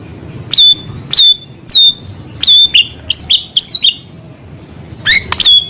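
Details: White-rumped shama singing actively, with filler material of small-bird sounds: sharp, clipped high notes with rising tails, uttered singly or in short bursts at uneven intervals, over a low background hum.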